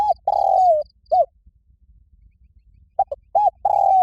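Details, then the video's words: Spotted dove giving a loud, resonant fighting call: sustained low coos with short clipped notes, a pause, then the phrase repeated with two quick notes, two short coos and a long coo. "Tiếng chim cu gáy gọi bổi rất to và vang cu gáy gọi đấu"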